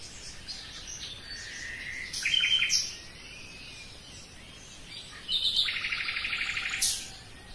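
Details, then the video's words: Song of a common nightingale in two phrases: a short buzzy cluster of notes just after two seconds, then a longer rapid pulsed rattle of repeated notes ending in a sharp upward flourish. "Пение соловья"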